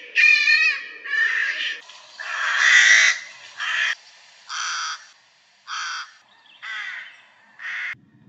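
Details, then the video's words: A rook, a UK corvid, gives a series of about eight hoarse, cawing calls, roughly one a second, slightly less harsh than a crow's. "Rooks are also vocal with their calls slightly less harsh than those of crows."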